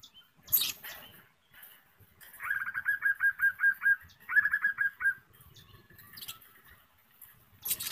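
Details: Budgerigar giving quick bursts of bright, repeated chirps in two short runs, apparently in a cage or building.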